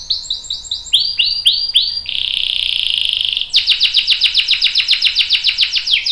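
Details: Canary singing a long roll for training young and adult canaries: sweeping repeated whistles, a smooth buzzing trill held over a second, then a fast run of sharp descending notes.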